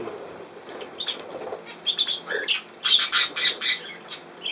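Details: Budgerigar recorded 17 November 2024, giving scattered bright chirps and short squeaky notes that grow denser and louder after the second second, with a soft low murmur underneath early on.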